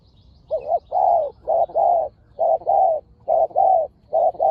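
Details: Spotted dove, one of a fiercely calling pair used in decoy luring: strong mid-pitched hoarse coos in repeated pairs, a short note followed by a longer rolling one, about four pairs in under five seconds, clear and close.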